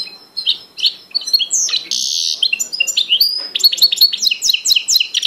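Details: Goldfinch x canary hybrid delivering a loud, continuous song of sharp chirps, a harsh buzzy stretch, and a fast run of bright, repeated descending notes near the end.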